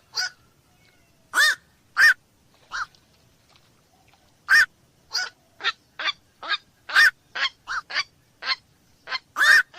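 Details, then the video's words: A black-crowned night heron gives short, hoarse, barking quok calls that start sparsely and then quicken into an uneven run of about two per second toward the end. The background is quiet. "SUARA BURUNG KOAK MALAM"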